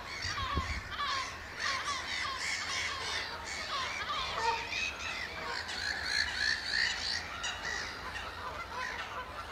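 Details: Eurasian oystercatchers at Amwell Nature Reserve in April 2014, giving a piping display; dense run of shrill, rapidly repeated piping notes from several birds overlapping continuously, with faint low background noise.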